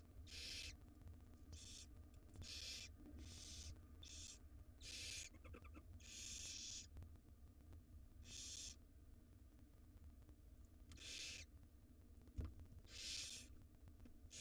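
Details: Barn owl chicks, wild, begging in their nest box while the female brings a jird: many rasping, hissing bursts follow one another irregularly, some doubled, with a constant low drone underneath.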